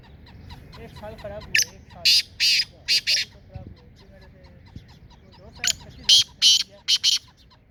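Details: Black francolin in Sindh, Pakistan, giving two harsh, grating call phrases, each a short note followed by four rasping bursts, about four seconds apart, with softer chirping of other birds underneath.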